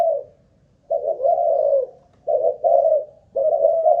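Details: Spotted dove kept as a decoy bird, tested for stamina: three low, mellow cooing phrases, each about a second long with a soft rolling start, separated by short pauses, in a quiet indoor setting.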